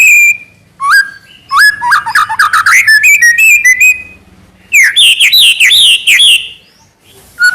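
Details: White-rumped shama (murai batu) in energetic trotol-style song: loud whistled notes, rising slurs and rapid chattering bursts near the start, a pause, then a second run of high, buzzy warbled phrases.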